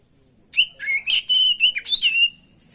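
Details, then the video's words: Oriental magpie-robin, or kacer, in rich 'gacor' song meant as tutor and lure: one continuous phrase of loud, varied whistles, slurred rising and falling notes linked with brief buzzy chatters, lasting about two seconds. "masteran pancingan burung kacer gacor isian bongkar"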